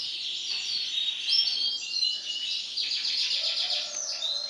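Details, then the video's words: Yellow female canary, steady stream of high, thin twittering notes with quick rolling trills and short buzzy bursts, bright and continuous throughout, a faint hiss of background noise underneath. "CANARY BETINA KUNING"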